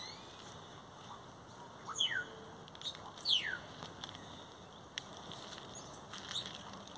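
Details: Great-tailed grackle (Quiscalus mexicanus) in song: a descending whistle, then a louder, longer downward-sweeping whistle a second later. Brief clicks and high chips follow, and a faint chip closes the sequence.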